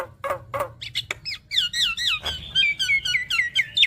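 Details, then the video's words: Javan myna chattering song meant to get a reluctant bird singing: a few throaty notes give way to a lively string of looping, up-and-down whistles delivered in quick succession. "Burung Jalak Kebo Malas Bunyi Rutin Putarkan Ocehan Jalak Kebo Makun Gacor Full Isian Ini"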